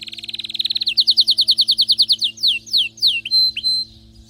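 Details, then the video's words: ['Excited canary song: a quick high stuttering trill, then about a dozen loud repeated downslurred notes, slowing into a few spaced sweeping whistles and a thin sustained tone.'] "غناء كناري هايج ومولللعCanario -canary"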